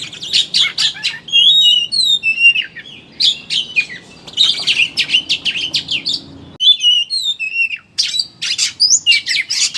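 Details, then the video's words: Oriental magpie-robin (kacer) in ngeriwik style, a chattering lure song played to make other birds open their beaks and sing: dense rapid chattering notes mixed with sharp whistled slurs, broken by brief pauses, with a faint low hum. "Suara Burung Pancingan Kacer Ngeriwik Agar Ngeplong Buka Paruh"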